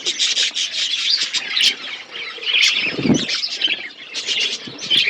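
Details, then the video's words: Budgerigars eating food chirp in a continuous warbling chorus, with squeaky notes and a soft fluttering or rustling sound in the middle. "Beautiful budgies chirping sounds birds eating food"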